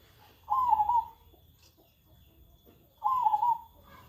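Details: Zebra dove cooing, a bird said to keep cooing all day without stopping and to show no fear of people: two soft, trilled, wavering coos about two and a half seconds apart, with faint background hum.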